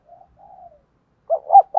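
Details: Spotted dove decoy in 'gáy gọi' calling, meant to provoke wild males. A few soft low coos, then the start of a loud hooting phrase cut short.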